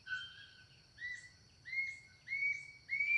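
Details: Gray-hooded attila (Attila rufus), song.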